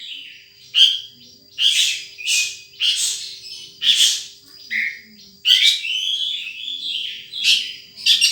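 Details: Wild sunbird uttering sharp, high chirps in separate bursts about every second, then a busier twittering run near the end, over a quiet background.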